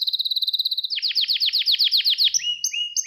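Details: Gloster canary training song, used to stimulate males and teach young canaries: a fast trill of high clipped notes, then a roll of downward-sweeping notes about four per second, ending in long rising whistles.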